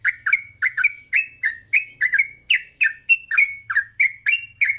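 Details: Yellow-vented bulbul singing gacor in the morning as a training lure for trucuk. Rapid, repeated bubbly chirps, some slurred upward into short whistles, over a faint low rumble.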